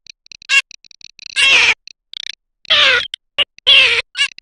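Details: Garganey, a summer duck, mixes clicking rattle bursts with three loud, nasal, downward-sliding calls; a busy sequence with no background noise.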